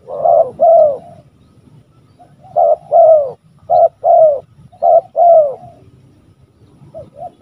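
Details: Loud, close spotted dove (tekukur) calling in repeated bursts: a short note then a longer burry coo, given four times in quick succession, described afterward as a booming voice.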